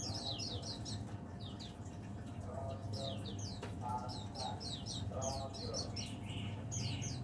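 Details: Caged leaf warbler, a day-long singer that falls silent at night when covered or in darkness. A continuous stream of quick, high, downslurred chirps repeats throughout, while murmured human voices are heard now and then in the background.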